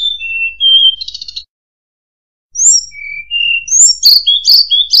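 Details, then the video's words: Murai buluh (tledekan) song: a few clean whistles and a short buzzy trill, a silent break, then soft level whistles leading into busy high twittering. "Burung Murai Buluh | Tledekan"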